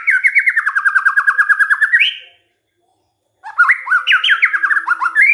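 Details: White-rumped shama singing, a lure recording meant to set other shamas singing: a fast run of about twenty similar falling whistled notes ending in a rising flourish, then after a short silence a new varied, rapid whistled phrase.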